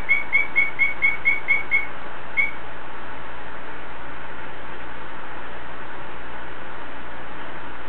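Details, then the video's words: Greenback trivia calling with a quick run of eight sharp, high chirps in the first two seconds, then one more chirp and a quiet stretch with only a low background hum. "Greenback Triv Calling"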